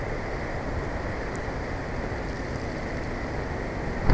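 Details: Steady low rumble of wind or water across the microphone, with no animal voices heard.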